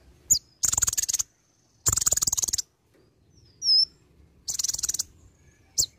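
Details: Olive-backed sunbird in lively song mixed with imitations: three long, rapid, buzzy high trills, broken by a single sharp upslurred whistle and brief chips.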